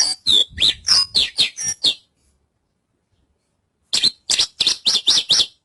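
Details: Javan bush lark: a two-second burst of quick, varied chirps and down-slurred whistles, two seconds of silence, then a second rapid run of buzzy repeated notes.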